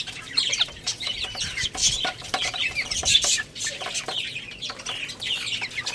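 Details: Little chicks feeding and playing give bursts of shrill, rapid cheeps, some notes dropping sharply in pitch, loudest around the middle, amid light scratching and shuffling sounds.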